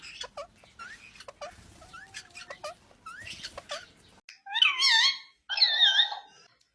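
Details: Green Indian ringneck parrot talking: soft high chirps and short falling notes at first, then two loud, wavering, harmonic speech-like phrases near the end.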